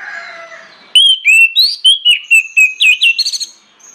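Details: Orange-headed thrush singing a loud, insistent lure song meant to get other birds singing: after soft background chatter, a rapid run of about a dozen clear whistled and slurred notes, some rising, others dipping, packed into under three seconds.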